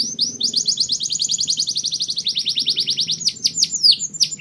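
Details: A canary delivers a long, even, fast rolling trill followed by sharp down-slurred notes, with a low droning hum underneath.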